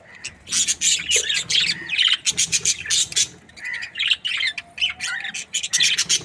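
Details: Australian budgerigar breeding pair, called happy, keeping up a continuous busy chatter of high chirps, squeaks and warbled twitters with hardly any pause.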